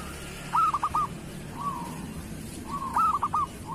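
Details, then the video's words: Local zebra dove singing in the kerot style, used as a master recording to train other doves: a quick stuttered burst of notes, then a soft rolling trill, repeated twice, over steady background hiss. "Suara perkutut lokal masteran perkutut kerot"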